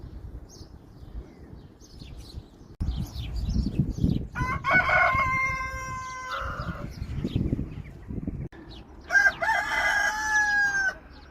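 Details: Farm rooster crowing twice, each a loud, harmonic, drawn-out cock-a-doodle-doo lasting two to three seconds, separated by several seconds of low rumbling background noise and soft clucks.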